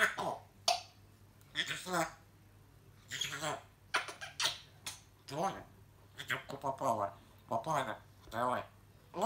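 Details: A talking grey parrot chatters in bursts of speech-like mimicry with sweeping, harmonic, squeaky tones, separated by short pauses.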